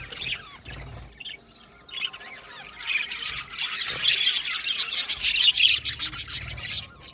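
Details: Budgerigar colony in an aviary. A few squawky chirps open, then the chatter builds into a busy, fast twittering that grows louder toward the end.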